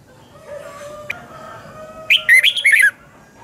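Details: Red-whiskered bulbul singing a double-twist voice morning song, kept for training other birds: faint background tones, then one sharp, rapid burst of bright warbled notes lasting under a second.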